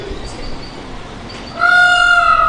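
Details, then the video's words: An Indian peafowl gives one loud, steady, nasal wail after a quiet, hissy start; the call is rich in overtones and held for about a second. "ये जो आवाज़ आप सुन रहे हैं ये है मोर का।"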